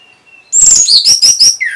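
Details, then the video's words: Orange-headed thrush in Singaraja, North Bali, answering at once when lured by a played sound, with a quick, loud burst of four high, bright sweeping notes, then a faint thin tone and a lower down-slurred whistle. "Reaksi ANIS MERAH Saat Dipancing Suara Ini !! Langsung Nyaut"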